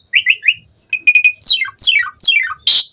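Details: Varied Asian pied starling song, meant as a lure to spur other starlings to sing: three quick chirps, a pause, then a run of sharply falling, rasping slurs and a final harsh burst.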